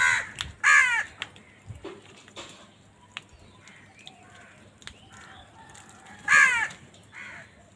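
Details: Crows in a village: two loud rough caws open the recording, followed by a quieter stretch with faint clicks, then one more harsh caw near the end.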